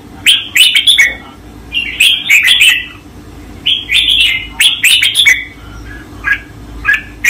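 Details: Caged red-whiskered bulbul master song for training: three lively bursts of rich, warbling whistled phrases about every one and a half seconds, each a cluster of rapid, slurred notes, followed by scattered single chirps on a quiet background.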